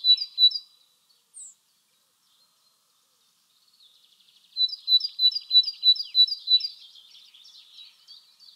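A Great Tit sings bright, high two-note phrases repeated about three per second: a short burst, a pause, then a longer run trailing into softer twittering.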